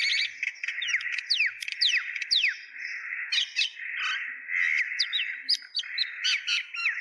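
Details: A flock of mynas chirping at Kulaura, Sylhet, Bangladesh: nonstop overlapping chatter, with many steep whistled downslurs, squeaks and raspy notes tumbling over one another.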